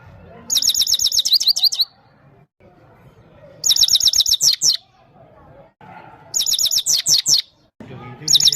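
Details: Himalayan goldfinch from Parachinar singing to a female: bright, rapid, high trilled and twittering phrases, each about a second long, delivered in four bursts separated by short pauses over a faint low background hum.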